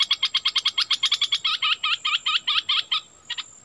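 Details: Cream-vented Bulbul acting as a decoy to lure wild birds; a fast run of about fifteen sharp notes, each a small downward slur, slowing slightly and ending with two separate notes.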